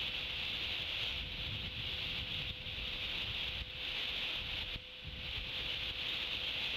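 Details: Steady electronic hiss and hum with faint rustling, and no animal call.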